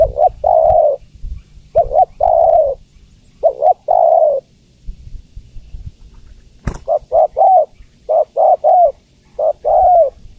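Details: Female spotted dove calling to the male, giving mellow cooing phrases of two short notes and one drawn-out coo. A sharp click sounds midway, then a faster run of short double coos.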